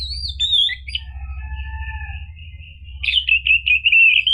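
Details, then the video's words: Orange-headed thrush song used as a lure so a caged bird will start calling. Drawn-out slurred whistles descend and level off, then a louder run of rapid warbled notes closes the phrase over a low hum. "PANCINGAN ANIS MERAH biar bunyi NYAUT JADI GACOR NGEPLONG ampuh buat terapi macet bunyi"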